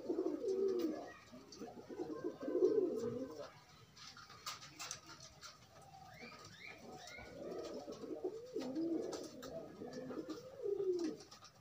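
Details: Free pigeons courting and pairing produce two loud rolling coo bursts at the start, a quieter patch with faint higher chirps, then renewed low cooing phrases toward the close.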